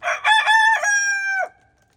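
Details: Crow of an Araucana rooster on a farm in the snow, loud and close: three short broken syllables run into a long, steady, slightly falling note that stops abruptly, followed by silence.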